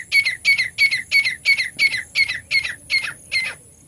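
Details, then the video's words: Partridge (teetar) giving a rapid rhythmic series of about ten harsh, grating notes, evenly spaced at roughly three per second. "तीतर ना आने वाला बेस्ट आवाज। The best sound of the partridge not coming | partridge voice"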